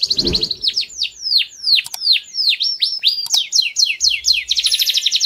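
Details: Song of a canary meant for training young birds: a faint rustle at the start, then a steady series of sweeping downslurred whistles, ending in a rapid trill.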